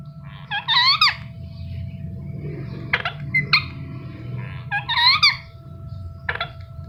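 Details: Pet Indian ringneck parakeet chirping in a repeated pattern: a wavering nasal squawk, short sharp chips, then another squawk and a final chip, spread over about seven seconds above a low hum and room rumble.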